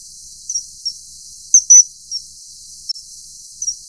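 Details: High-pitched kingfisher whistles during mating, scattered single notes leading to a loud, shrill double note near the middle, then a few softer whistles, with steady hiss behind.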